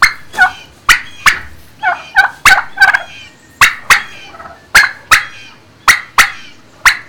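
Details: Turkeys in a barn, recorded on 26 March 2019 around midday: loud, sharp, harmonic calls burst out in quick irregular series, several overlapping, with brief quiet gaps between clusters.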